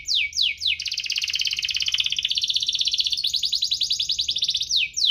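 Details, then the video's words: Canary singing in 'cuit-cuit ngerol' style, chirps and rolls meant to prompt reluctant canaries to sing; a few sharp descending slurs lead into a sustained, dense, rapid trill lasting about four seconds, ending with another falling sweep. "Kenari Gacor cuit-cuit ngerol, pancingan untuk burung kenari malas bunyi"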